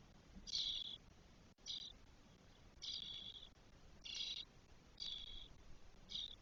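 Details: Four 12-day-old spotless starling chicks in their nest, Spain, early June 2022. They give six loud, raspy, noisy screeches, each under half a second, spaced roughly a second apart. There is a single sharp click midway.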